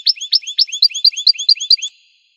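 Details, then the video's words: Goldfinch song of quick, evenly spaced high twitters, about five notes a second, bright and slightly liquid, with no other sounds. "Magic of the melody of the goldfinch's song"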